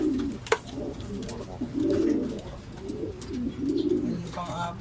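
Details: Racing pigeons during a second truck training release in Guiguinto, Bulacan, birds arriving in groups; low, soft rolling coos repeat at uneven intervals of about two seconds, with a sharp knock and faint background rustling.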